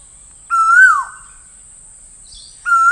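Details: Asian koel giving one full ringing call that rises then falls away, followed after a pause by the start of another, against a constant faint high whine.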